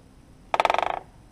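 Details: Great spotted woodpecker drumming on a tree in midwinter to mark territory: a single short burst of about ten rapid, hollow knocks lasting under half a second, slightly weakening toward the end, against quiet background.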